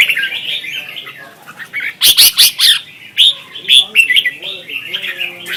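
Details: Red-whiskered bulbul singing in competition, Vietnam, a lure recording for training birds: chattering whistled notes with sharp loud bursts and rapid chirps, phrases strung closely together.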